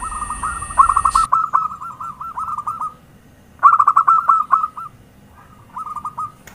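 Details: Lively zebra dove lure call. It gives bursts of fast, stuttering coo notes, each burst lasting about a second. Short pauses separate the bursts, and a final quieter burst closes the sequence.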